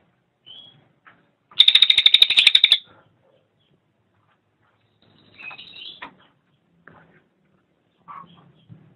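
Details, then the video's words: Cililin song used as a master recording for training songbirds: a brief, dense buzzy trill of rapid repeated notes lasting just over a second, framed by a few soft, scattered chips and short high whistles. "SUARA BURUNG - Masteran Terbaik Cililin"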